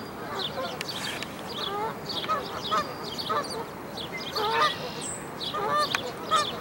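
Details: Canada goose family at a dead-tree nest where five newborn goslings jump down to follow their mother; low nasal honking calls repeat irregularly over a backdrop of many high chirping calls from other birds.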